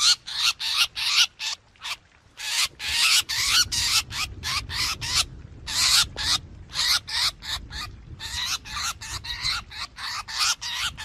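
Black drongo giving harsh, raspy, high notes in quick runs of about three a second, broken by short pauses, over a faint low rumble.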